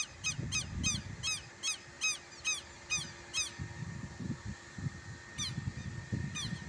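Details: Agitated southern lapwing at a country smallholding in Brazil: a fast run of harsh, scratchy notes roughly every half second, then a pause and two more, with low rumbling handling or footstep noise beneath.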